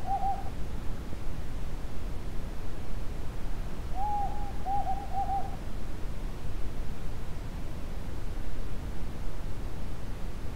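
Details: Pair of Desert Tawny Owls calling in a remote part of Israel's Judean Desert: the tail of one phrase at the start, then a full phrase of a long hoot and three quick short hoots, followed by low wind rumble.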